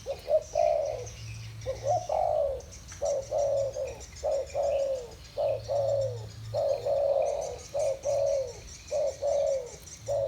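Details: Spotted dove duel in the 'thổ bầu' style: a dense run of hoarse, downward-sliding coos with short gaps, the two birds' phrases nearly back to back, faint hum underneath.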